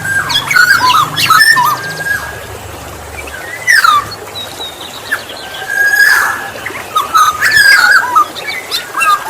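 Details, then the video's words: Black-naped oriole song played to lure other orioles: fluid whistled phrases in short bursts every couple of seconds, over steady background hiss and faint high insect-like buzzing. "Pancingan burung kepodang"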